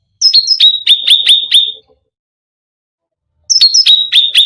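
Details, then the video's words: Cucak rante singing an energetic full song said to provoke other birds: two bursts of sharp, high, down-slurred notes followed by evenly repeated chipping notes, separated by a silent pause of about two seconds. "Cucak Rante full isian gacor || bikin emosi burung lain"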